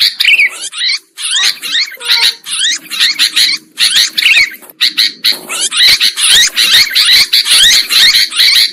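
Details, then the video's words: Sooty-headed bulbul lure recording for catching birds: scratchy chatter in spaced bursts that speeds into a dense, continuous twittering, with a low background hum. "Suara Pikat Burung Kutilang Ampuh"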